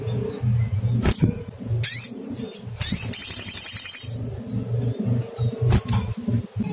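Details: Little spiderhunter calling out to find a rival: two thin chirps, then a buzzy high trill over a second long, a final sharp chirp later, all above a noticeable low humming background.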